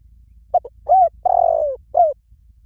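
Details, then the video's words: Spotted dove lure call used for catching birds: a short series of mellow coos, two brief notes, then a longer, slurred, descending coo and a final clipped note, with faint low rumble beneath. "เสียงนกเขาใหญ่ หมานๆ ต่อเข้าเร็ว ป่าไหนก็เข้า"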